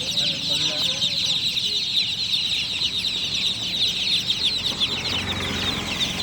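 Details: Night-time chorus of just-hatched chicks, countless thin, high chirps running together into a steady shrill wash, with brief low voices.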